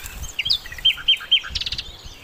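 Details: Sikatan londo flycatcher, a master recording for training songbirds: short sliding whistles and three clear, evenly spaced whistled notes, then a burst of rapid high chips.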